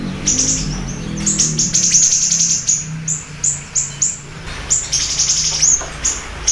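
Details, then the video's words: Siri-siri bird singing hard, for luring and training: fast bursts of high, clipped chirps run into trilled stretches, then spaced single sharp notes, with a faint low hum early on. "Pancingan Dan Masteran Burung Siri Siri Gacor Dor"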